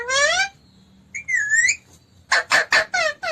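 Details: Pet talking parrot, said to speak phrases like "mummy papa koun aaya hai": a rising harmonic squawk, a brief looping whistle, then a quick run of five sharp harmonic syllables at the end.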